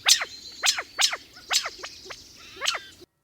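A California quail gives sharp, sharp-edged alarm notes, about six quick clipped calls in three seconds, some in close pairs, over a quiet background.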